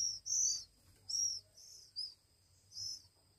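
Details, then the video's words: Oriental magpie-robin chicks aged one week, fed by hand, produce scratchy high begging hisses, loud at first and then softer, with uneven gaps between the calls. "Anak Kacer Umur satu Minggu"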